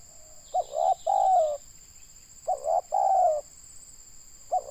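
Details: Spotted dove, a local Indonesian decoy bird for trapping, with a loud voice. Two full coo phrases: clipped short notes leading into a drawn, slightly descending coo, then the start of a third. A continuous high electronic tone sounds underneath.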